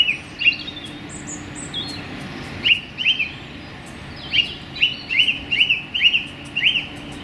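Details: Singing song thrush in a small London park in January sunshine: after scattered thin high notes, a run of sharp upslurred whistled notes is repeated five or six times in quick succession over quiet background hum.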